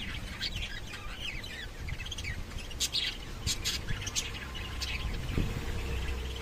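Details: Lovebirds chattering with many sharp, high tweets and short rising squeaks throughout, over a steady low rumble of background noise.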